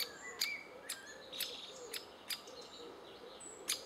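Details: Great spotted woodpecker adults feeding chicks, June 2011: a few sharp kik calls spaced about half a second apart, mixed with short whistles and low soft cooing notes.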